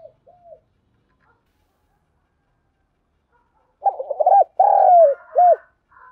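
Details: Spotted dove 'thúc gù' cooing. Faint soft notes come first, then a loud phrase of rapid stuttered coos, a long falling coo and a short closing coo, with clean silence around it.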